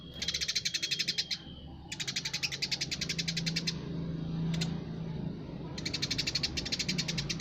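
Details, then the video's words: Eurasian tree sparrow singing energetically: rapid strings of sharp high chirps, then a pause of about two seconds filled by a low droning hum, then the chirping resumes. "burung greja gacor"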